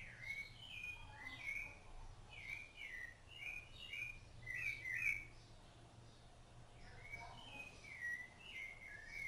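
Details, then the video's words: Rufous-bellied thrush singing while it feeds its chicks, clear warbled whistles in short varied phrases, sliding and looping, a brief pause midway before the song resumes. "SABIÁ LARANJEIRA CANTO"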